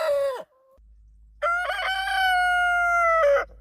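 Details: Morning rooster crowing: the falling end of one crow, a brief pause with low hum, then a full crow. It has a stuttered onset and a long, steady, slightly falling harmonic tone.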